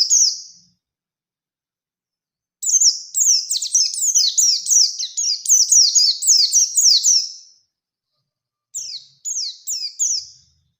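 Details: Oriental white-eye, Bustomi type, singing the wild-style rolling, shooting song meant to provoke other white-eyes. A brief note opens. After a gap comes a long five-second stream of rapid, high, downslurred twitters, then a few more scattered bursts.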